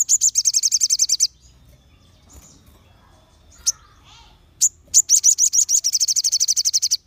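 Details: Crimson sunbird singing to draw out other sunbirds: a fast high trill of around fifteen notes, a pause with faint chips, then a longer trill of over twenty ringing notes.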